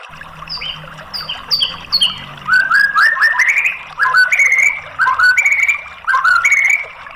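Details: White-rumped shama song played to coax a bird that has stopped singing into answering: a series of clear high whistles, then repeated rich descending whistled phrases about once a second, over a steady background hiss.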